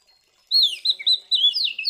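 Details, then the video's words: Fighting song of an Oriental magpie-robin, known locally as kacer, meant to rile up other males: a fast run of clear, rich whistles with downward slurs and brief breaks, ending in rising sweeps, with nothing else heard. "Suara Burung KACER GACOR Ngeplong TARUNG Konslet ini Paling Ampuh Buat Pancingan Kacer Biar Emosi"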